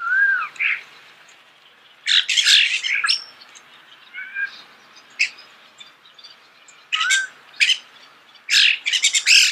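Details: Starling singing near the microphone in nature: a low curved whistle, then dense bursts of harsh squawky chatter and clicks separated by quiet spells and soft twitters.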